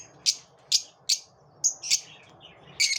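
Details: After dawn, lovebirds give about six piercing, high chirps in three seconds, spaced roughly half a second apart, each short and squeaky.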